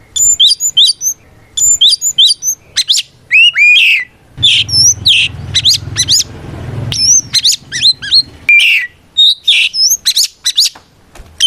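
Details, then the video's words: Oriental magpie-robin singing a challenging fight song meant to call out rivals and stir silent birds into replying; rapid high chips, clear upslurred whistles and varied phrases in bursts, with a brief low rumble of background noise midway. "Suara Burung kacer gacor NGEPLONG tarung ini paling ampuh buat PANCINGAN KACER agar EMOSI Nyaut"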